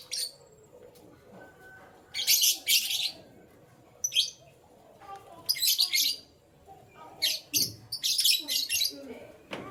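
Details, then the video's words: Morning canary song: loud bursts of high, rapid twittering and trills alternate with quieter stretches of thin single notes. "Canary Chirping Sounds"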